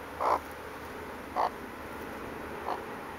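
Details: Broody hen outside for a break, giving three short, soft clucks about a second apart, each fainter than the last, over a quiet steady background hum.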